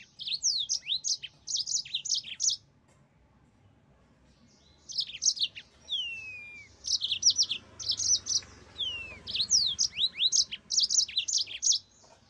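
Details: Yellow-fronted canary (mozambik) singing bursts of rapid high chirps and trills, with a pause of about two seconds and a few curling whistles mid-song.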